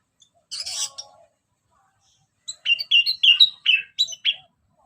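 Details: Orange-headed thrush singing in ngeplong style, used as a lure: a short scratchy rasp, then after a pause a string of clear, loud whistled notes delivered in quick succession, each slightly falling.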